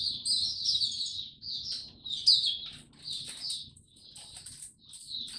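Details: Kept Oriental white-eye singing on 25 January 2022, after sleeping late the night before: high, thin twittering phrases with short sliding notes, in uneven bursts separated by quieter gaps, over faint low background hum.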